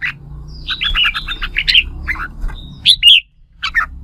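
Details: Red-whiskered bulbul in competitive "fighting" song, used to rouse and train other bulbuls, pours out quick bursts of bright, chirpy, warbled notes in short phrases, with a brief pause before the last few, over a faint low hum.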